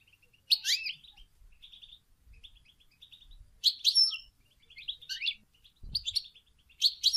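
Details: European goldfinch song of mating and readiness, meant to rouse silent males during moult: liquid twittering phrases with swooping, falling notes, repeated roughly every second, over a faint low rumble.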